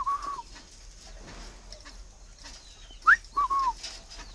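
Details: Tame caged male Chinese francolin awaiting a mate, ending one falling whistled note, then after a quiet gap giving a sharp rising note and two drawn whistles that slide downward.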